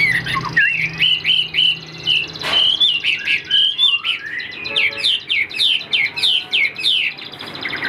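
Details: Caged Chinese Hwamei, largely tamed, in full song: clear whistled phrases mixing sliding notes with rapid bursts of sharp descending chirps repeated several times per second, a brief click near the start, slight room echo.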